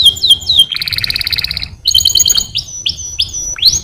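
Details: Canary song: high whistled notes sliding down, then a dense buzzy trill, followed by a run of rapid upward-sweeping chirps, all loud and close with little background.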